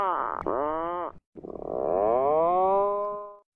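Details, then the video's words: Atlantic puffin on the cliffs of a small island by the sea: two drawn-out, nasal, moaning calls, the first dipping in pitch and the second slowly rising then level, with a short break between them. "Atlantic puffin sounds on the cliff coast."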